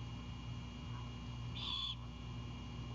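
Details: Great horned owlet at a Savannah nest greeting its returning mother, who carries an anhinga: a single short, harsh, hissing screech with a steady low hum beneath.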